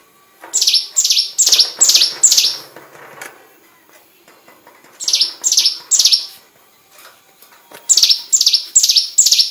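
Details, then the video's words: Hill prinia singing, used to tutor white-rumped shamas: phrases of four or five strong, downslurred chirps in fast regular runs, split by brief pauses, over faint rustling background noise. "Burung prenjak gunung master tembakan murai batu"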